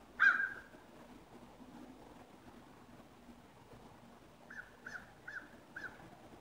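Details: Ravens at sunrise, 22 November 2016: one loud raspy call opens, then a quiet pause with faint low rumble, followed by four short, softer clipped notes about every 0.4 seconds.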